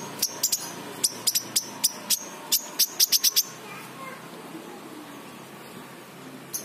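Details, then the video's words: King konin sunbird recorded as a lure to coax untrained, silent birds into singing: a run of about fifteen sharp, very high ticking notes, irregularly spaced over three and a half seconds, then quiet with one last tick. "pancingan King Konin bahan | malas bunyi | macet"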